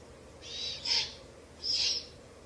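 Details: Young owls in a nest within a ruin, late evening around the start of May, during feeding with a rabbit brought by the female. Loud, rasping hisses, two run together and then a longer one, with quiet background between.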